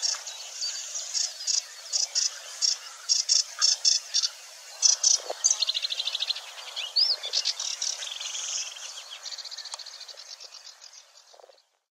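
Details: Sedge Warbler singing at Wetering West, Overijssel, in early May 2022, a fine mimic ending its song with a display flight: rapid series of short, high, harsh chattering bursts about twice a second, then fast buzzy rattling trills that fade away.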